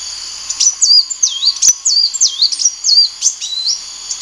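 A sunbird's high, thin song of quick swooping and twisting notes, several per second, over a faint steady background hum.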